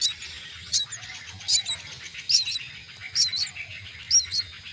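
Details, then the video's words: Common myna chicks being fed at the nest, giving short high squeaky chirps in bursts about every second, some doubled, over a faint low background hum. "Feed the myna chicks at nest"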